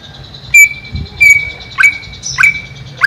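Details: Caged greater green leafbird above a pond: clear, level whistled notes repeated roughly every half second to second, some with short dropping chirps, against a thin steady high background tone.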